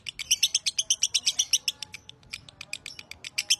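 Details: Lovebird Broty, a masteran training bird, sings long: a loud regular run of sharp, buzzy chirps nearly three per second, then thinner, irregular clicks and chirps toward the end.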